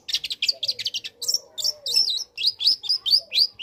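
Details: Young long-tailed shrike, recorded to provoke other shrikes: quick, high, squeaky and slurred notes in a rapid run of about a dozen, some twisting upward, over a faint low background tone.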